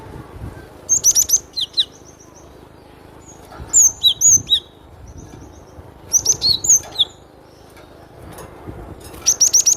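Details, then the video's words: Glatik batu (cinereous tit) singing crisply: four short phrases of high, clean whistled notes and quick downward slurs, each phrase roughly two to three seconds apart, with low background noise between. "SUARA BURUNG GLATIK BATU PALING RENYAH"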